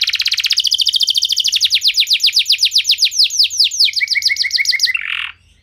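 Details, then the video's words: Canary song used to make other canaries sing: a rapid trill that gradually slows into distinct sweeping notes, a low stuttering run, and a final harsh burst before quiet. "Kenari Anda Bisa Gacor Seketika Dengar Pancingan Kenari Nembak Joss Ini"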